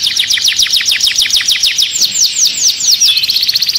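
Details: Agitated canary singing inside a cage: a fast series of sharp, descending whistled notes, about five per second, slows into longer sweeping slurs and ends in a dense buzzy trill. The song is high and bright, with no other sounds.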